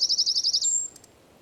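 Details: Eurasian wren in San Miguel de Daño, Zamudio, on 4 December 2019 delivering a brisk trill of about eight high pulses that runs into a thin sustained whistle, then falls quiet.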